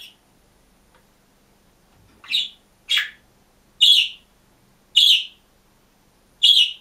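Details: Single caged budgerigar calls with short, loud, bright chirps spaced about a second apart after a quiet opening, five clear notes in a row.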